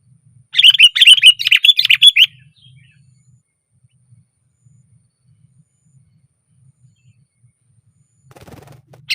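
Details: Sooty-headed bulbul on a branch giving a loud burst of rapid, bubbly chirps for under two seconds, followed by long quiet and a faint rustle near the end.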